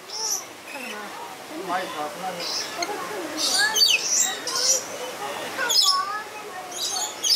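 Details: Captive lorikeets at play in Lowry Park Zoo, Tampa, Florida, captured with a Sony A7S camera: repeated raspy, high screeches and squawks clustered between 3 and 6 seconds, with people talking throughout the background.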